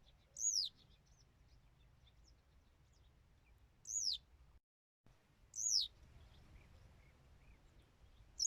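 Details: A Western yellow wagtail repeats a sharp, high, falling note roughly every one and a half to three seconds, four times in all. Faint distant chirps and low steady background noise sit underneath.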